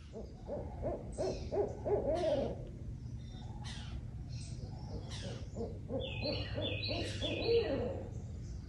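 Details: Two barred owls calling on an active morning in a backyard nature preserve; rapid, cackling hoots in a low, mid-pitched series, rising into excited caterwauling bursts, with faint higher bird chirps late and a steady low background hum.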